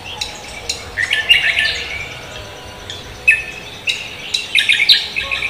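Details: Cucak kombo in full morning song, greeting the day: clustered high chirps and rattling whistles in bursts separated by short gaps, with a faint steady background hum.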